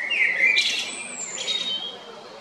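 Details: Male Eurasian blackbird, recorded at Jarun in Zagreb, Croatia, 22 April 2021: one low, rich fluted whistle dipping slightly, followed by two bursts of thin, high squeaky twittering.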